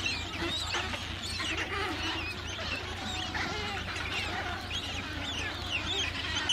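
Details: Adélie penguins in a breeding colony of about 150,000 pairs on Paulet Island, Antarctica, 1 February 2019; many overlapping harsh, harmonic squawks and brays form a dense chorus over a steady low rumble.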